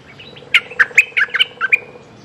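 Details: Mate-calling Streak-eared bulbul: a bubbly phrase of roughly eight clipped, bright chirps, quick and slightly uneven, with a faint low hum behind.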